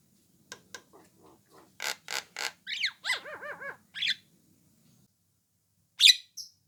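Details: Orange-eyed Javan myna giving a call meant to lure other mynas into answering: soft rasping notes building into loud harsh bursts, then a run of quick arched, bouncing whistles, a squawk, a pause and one sharp final shriek.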